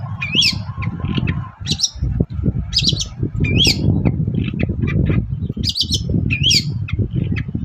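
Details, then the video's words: Song of a long-tailed shrike in the morning, used to lure other shrikes into calling back: rising whistled squeals mixed with scratchy chirps in irregular bursts. A faint steady tone and a low rumble run beneath. "BURUNG CENDET GACOR PAGI HARI BIKIN CENDET MANAPUN LANGSUNG NYAUT"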